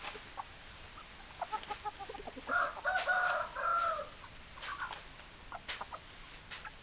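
A rooster crows a long harmonic crow over scattered short clucks from hens.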